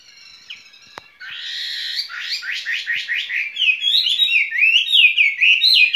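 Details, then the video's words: Caged skylark sings its spring song. A single click comes first, then a buzzy trill with fast pulses that flows into bright, fluting warbled phrases. "Chim quý ở lồng son ca bản tình ca mùa xuân"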